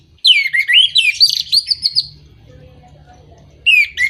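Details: Orange-headed thrush song aimed at stirring moulting or silent birds; a long, rapid warbling phrase of looping whistled notes, then silence with low hum and a brief closing whistle.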